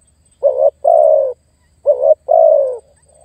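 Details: Spotted dove cooing to lure and challenge a rival: two pairs of soft, low notes, each a short opening coo and then a longer, level, slightly falling one, with a faint note trailing at the end.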